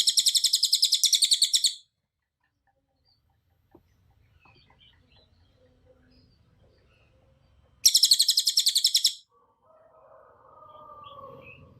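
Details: Tutor recording of a cililin with two rapid-fire bursts of needle-sharp high notes about six seconds apart, each lasting under two seconds, in tembakan rapat style. Quiet gaps hold faint chirps and a soft low hum.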